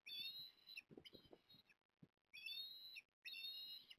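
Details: Osprey at Port Lincoln on 14 September 2022, calling as the male brings a fish to the female: bursts of thin, high, whistled notes repeated in rapid series, with brief pauses and soft low knocks between.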